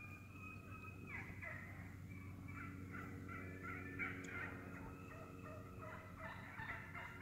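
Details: A flock of wild turkeys feeding in the woods: steady, rapid cutting and clucking throughout, notes coming unevenly about three per second, with faint purrs and a low background drone.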